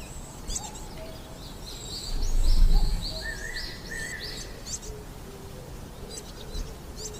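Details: Coal tits feeding young at a nest in a tree cavity: a quick series of high, thin, sharp calls and short buzzy notes, then a level whistled tone, over a low rumble that swells briefly.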